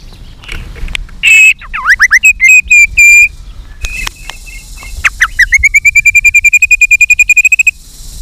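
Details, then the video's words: A white-rumped shama in aggressive, many-voiced fighting song with tail flicking. Loud whistled phrases and warbles come first, followed by a fast, even trill of repeated high notes lasting about two seconds. "chòe lửa hót đánh đuôi thái độ.kích chòe lửa hót đấu. chòe lửa hót nhiều giọng căng lửa"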